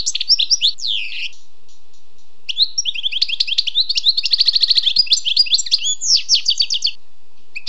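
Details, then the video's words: Sweet twittering song of a wild European goldfinch: high tinkling chirps, sliding notes and quick rattling trills in long bursts with a short gap, over quiet background. "le doux chant du chardonneret sauvage"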